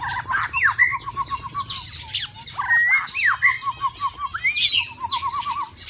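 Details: White-rumped shama kept in a cage in the mating season: varied rich whistles and sweeping phrases over a steady low warbling series of rolling notes, with sharp high chips interspersed throughout.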